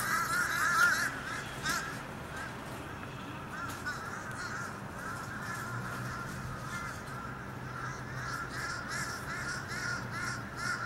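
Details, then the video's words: Mob of fish crows gathered around a building on 14 October 2020, giving a dense stream of overlapping short nasal caws, several per second, with steady background hum throughout. "Invasion of the stupid fish crows"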